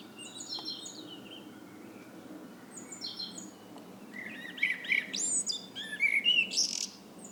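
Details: Evening blackbird song. Faint high descending notes from other birds come first, then a louder run of warbled, fluting phrases with thin squeaky flourishes in the last three seconds.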